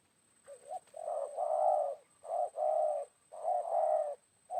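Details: Loud, close spotted dove coos during luring of a wild bird with a decoy, midday after rain: rapid run of short notes and long rich coos in quick succession, about four bursts in under five seconds; faint background whine.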